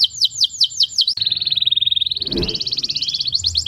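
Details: Canary song for stimulating mating birds. Falling whistled notes repeat, then a long fast buzzy trill holds steady and rises slightly. Descending notes return at the end, and a brief soft noise burst sounds midway.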